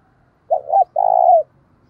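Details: Spotted dove used as a decoy bird, calling to provoke fights; a single low phrase of two quick notes and a long level coo ending in a slight downward slur.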